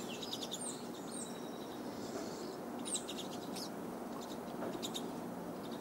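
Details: Pine siskins during the 2020 irruption, feeding on seed hearts from a person's knees and hands in the Great Smoky Mountains, United States. Thin, high, rising chirps sound sporadically over a soft steady hiss.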